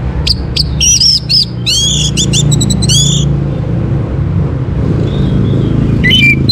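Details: Orange-headed thrush (Geokichla citrina), a caged bird from Bali, sings to prompt other birds: quick bursts of sweeping whistles and chattering notes in the first seconds, then strong low rumbling noise with faint distant whistles.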